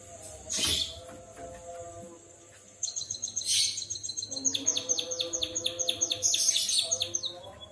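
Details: White-headed munia in lively song imitating a canary, a quick series of high, sharp down-slurred chirps after a short pause, with a few harsher bursts and a steady low background hum.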